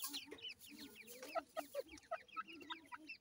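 Grey francolins calling: sharp, clucking notes repeated a few times a second, with busy higher chirps and chatter all around.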